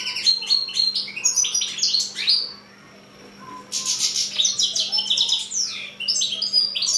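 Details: Song of a mule finch, six months old: rapid bright twittering phrases, high and varied, broken by one brief pause midway, then a rush of trills and sweeping whistled notes over a low constant hum.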